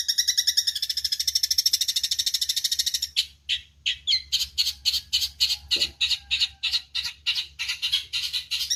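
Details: Eurasian tree sparrow recorded as training material for songbirds: a rapid, rattling trill of high notes, then loose, harsh, scratchy chirps delivered in an uneven series.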